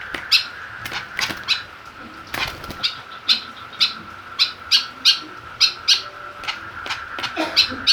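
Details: White-breasted woodswallow (kekep babi) kept in a cage and stirred up by a plastic bottle it attacks; scratchy clipped notes come in irregular bursts, a few per second, with a constant high-pitched hum behind.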